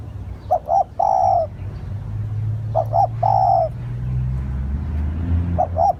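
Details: Spotted dove calling as a lure: two paired short coos lead into a long level coo. The phrase comes twice, a third begins, and a low rumble hums underneath.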